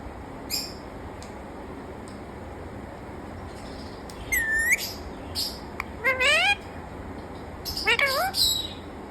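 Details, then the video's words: Talking parrot giving a sharp whistled upsweep near four and a half seconds, then two bursts of harmonic, speech-like chatter around six and eight seconds, with faint clicks and a steady hiss between. "Amazing Talking Parrot"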